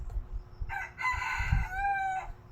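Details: A rooster crowing close to a house in the morning: one long harmonic crow, rising into a sustained, slightly wavering middle and then tapering, about one and a half seconds long, over low background rumble.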